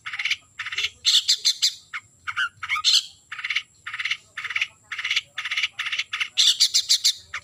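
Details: A long-tailed shrike calling a rival delivers a string of coarse buzzy rasps in clusters, some quick double and triple notes, with louder screechy bursts near the middle and end.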